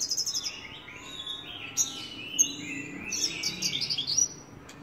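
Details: Javan bush lark opens with a rapid stuttering trill, then flows into high whistled slurs and chirps, closing with another quick pulsed series.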